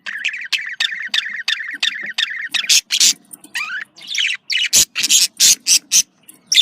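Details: Budgerigar communication call: steady, rapid chirps repeated several times a second, giving way to louder, harsher, broadband scratchy squawks and a descending whistled slur.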